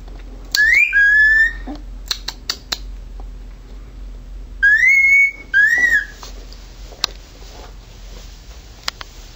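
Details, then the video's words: Indoor pet male cockatiel giving his siren impersonation: two loud bursts of whistling, each a rising swoop that levels into a sustained tone, separated by clicks and tapping sounds. "Birdie siren impersonation"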